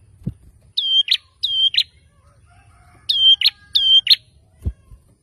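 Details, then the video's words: Ashy tailorbird stirred up by a lure sound, giving four two-part calls, each a clear high whistle snapping into a rough buzzy note, in two pairs, with soft low thumps at start and end. "Burung Prenjak Kepala Merah Langsung Ribut‼️ Setelah Dengar Suara Ini Auto Nyaut"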